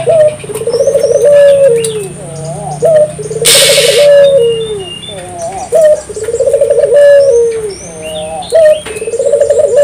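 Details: Spotted dove singing, used to stimulate local doves to sing: a high opening note, then a rolling, trilled coo that falls at the end, about every 2.5 seconds, with thin chirps of other birds and a brief noise burst.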